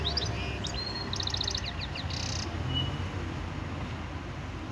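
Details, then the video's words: A goldfinch mule in Algeria, 2018, sings a quick run of high, tinkling chirps and buzzy trills, then pauses briefly before a thin whistle, over a steady low hum. "Mulet chant - Chardonneret"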